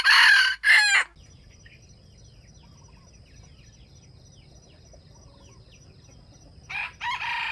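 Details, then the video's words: Wild jungle chickens lured by bait crow in competition. Two loud, harsh crow bursts open the recording, then a quiet gap filled with a high, steady insect whine and faint bird chirps before crowing starts again at the end. "wild chickens compete to crow"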